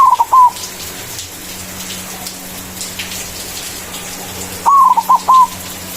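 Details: White zebra dove singing in manggung style to call a rival: one short coo phrase opens, then a long gap with faint background hiss, then a second phrase of a long sliding coo followed by two clipped notes and a final coo.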